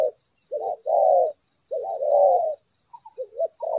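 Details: Spotted dove heard at a trapping site, giving soft, low-pitched cooing: a brief note leading into a drawn-out, husky coo, the pairs separated by short pauses.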